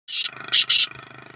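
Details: Black francolin (kala teetar) calling beside a main road: three harsh, rasping broadband bursts in quick succession, the first longer, then two short grating notes close together, over faint low background hum.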